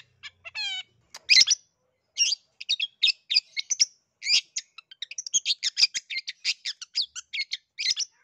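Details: Long-tailed shrike song used to prompt a quiet bird to sing: a rapid medley of harsh chattering notes and short sharp chips, opening with a brief rising harmonic whistle, packed densely with few gaps.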